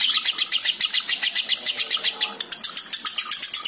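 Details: Breeding-condition lovebird ngekek: shrill, buzzy chattering pulses in a fast, slightly uneven run of about seven notes per second.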